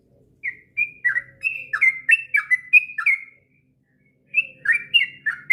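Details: Sooty-headed bulbul song used to tutor young birds: a rapid burst of rich, slurred whistled notes, a pause of over a second, then another brisk bubbling phrase.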